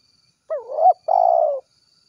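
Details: Spotted dove, tekukur 'gacor kuk 1' call for its companions: a low hooted note that bends up and down, then a longer, even, buzzy-edged coo easing lower, with a clean silent background.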